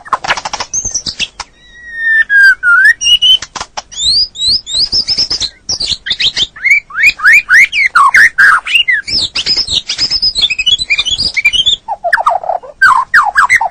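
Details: Male white-rumped shama in a training recording for a stressed bird that has gone silent: a rich, varied song of high whistles, a long falling slur, rapid sweeping trills and sharp clicking notes, loud and nearly continuous.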